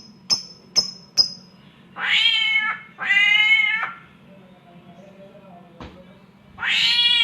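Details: A samyong copying a caterwauling cat: three quick sharp ticks, then two long nasal meowing wails, a softer low note, one more tick, and a final rising wail, over a faint steady hum.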